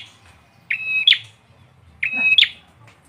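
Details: Bar-winged prinia (peranjak or ciblek) sings two phrases, each a steady whistled tone followed by an abrupt high upslurred chip, over quiet low background noise.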